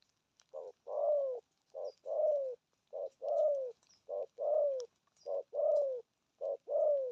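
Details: Repeated 'thổ âm' cooing from a spotted dove, 'gù thúc' phrasing: seven regular pairs of a short note plus a longer falling coo, delivered about once a second in a steady, even rhythm.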